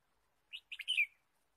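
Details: Clean, quiet take of a red-whiskered bulbul in forest during bird trapping, 23 March 2017: one brisk phrase of four bright chirps, the last notes louder and slurring downward, silence around them.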